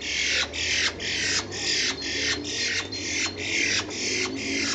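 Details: Harsh rasping bursts from two common starlings, fighting or mating, repeat evenly about twice a second, each a broad scratchy squawk, recorded in April 2011.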